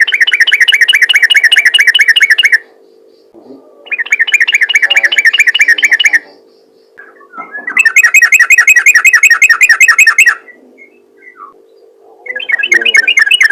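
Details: Repeated bursts of 'ropel ngalas' calling from a yellow-vented bulbul, meant to attract other bulbuls: dense rolling chatter in runs of two to three seconds separated by short pauses, over a steady low hum.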